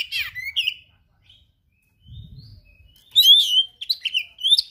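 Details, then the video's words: Oriental magpie-robin singing rare fill-in phrases: a swooping whistle and chirp, a near-silent gap with faint low rumble, then a loud run of varied sharp whistles and chirps. "KACER GACOR SPECIAL FULL ISIAN MATERI LANGKA"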